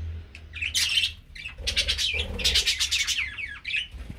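Budgerigar chicks give a steady stream of harsh, raspy, high chirps, overlapping one another.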